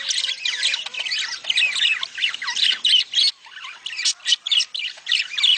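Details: Mating sound of budgerigars, used to encourage breeding. Continuous scratchy warbles and squawky chirps overlap, then loud clipped chirps come in quick irregular bursts.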